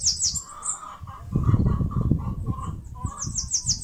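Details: Bananaquit in Northeast Brazil near its mandacaru nest: high rapid notes at start and end, with a lower repeated tooting sound and rumbling background noise in between.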